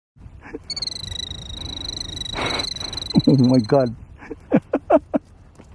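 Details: Killdeer defending its nest on Iona Beach in Richmond, BC, Canada, giving a long, sustained, high-pitched rattling trill for about three seconds. A person speaks over its end, followed by short voice sounds and low background noise.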